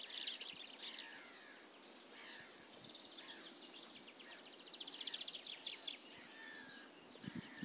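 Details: Eurasian penduline tit at Kalinkovo on 17 March 2012: thin, high, fine-stroked calls in quick faint runs, scattered across the recording with soft background noise.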